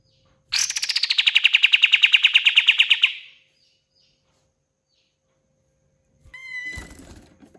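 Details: Pied fantail in full song: a rapid run of about twenty-five bright, even notes near a steady high pitch for two and a half seconds. After a pause comes a short, thin whistled phrase with a softer rustle.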